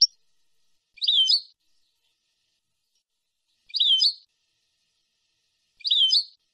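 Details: European goldfinch song phrases for training young birds, a clean tutor recording of nahrat and taqasim: a compact twittering, slurred phrase with a downward sweep, given three times about two to three seconds apart.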